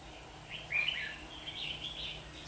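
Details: Red-whiskered bulbul trapped on 27 September 2019 amid fighting; one sweet, tumbling warble followed by softer trailing phrases, with faint hiss behind.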